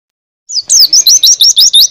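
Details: Brief burst of white-eye (pleci) song for canaries to copy: about seven quick high twisting whistled notes in rapid regular succession after a short lead-in note.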